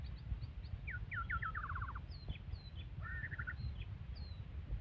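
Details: Fierce white-rumped shama, quiet and somewhat distant, giving short whistled notes, a descending run of rapid trilled notes, and later a brief warbled phrase. Steady low background rumble throughout.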